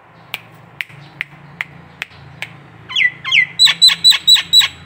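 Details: Nias hill myna, a local bird, recorded as training song: sharp ticking clicks spaced about half a second apart, then slurred rising notes and a burst of six loud, piercing, metallic calls in fast succession.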